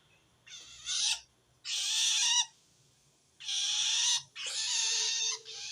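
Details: A long-tailed shrike, feeling threatened by another shrike, calls to wild ones: four coarse, hissing screeches, the last two running almost together.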